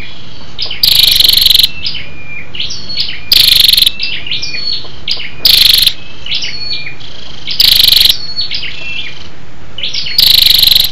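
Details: Female scarlet-backed flowerpecker calling to excite males, a lure call: five harsh, rapidly ticking bursts recurring roughly every two and a half seconds, interspersed with thin, high slurred chirps.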